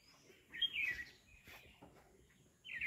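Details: A bulbul in a bel (wood apple) tree gives two short, bright chirps of falling pitch, about two seconds apart, with faint background hiss.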